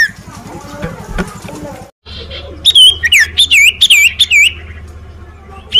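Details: Common iora (cipoh), hailed as champion of the stage, bursting into a fast series of shrill whistled notes that dip and climb, after a stretch of low rumbling background and a brief silence.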